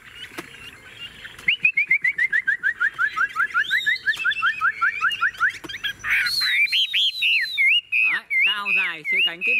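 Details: Tame caged Chinese hwamei singing loudly: a fast run of about twenty clear downslurred whistles repeated rapidly, then varied looping, warbling phrases with some harsher notes, light clicks in the background.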